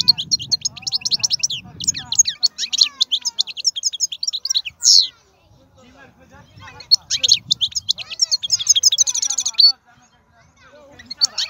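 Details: European goldfinch of wild origin singing powerfully: long runs of rapid, high tinkling and buzzy trills, a brief pause around five seconds, then another dense twittering stretch. A low murmur underlies the opening.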